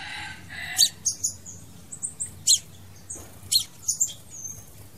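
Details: Crimson sunbird song used for luring or trapping birds: scattered very high, sharp chips and short thin whistles at irregular intervals over a faint background hiss.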